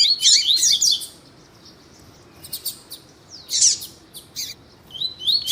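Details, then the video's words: Double-collared seedeater (coleiro tuí-tuí), captive, with a female calling to warm up a male: a high, sweet warbled phrase with rapid trills at the start, then a pause, then scattered sharp chips and short whistled notes. "COLEIRO TUÍ-TUÍ E FÊMEA CHAMANDO PARA ESQUENTAR COLEIRO TUÍ-TUÍ"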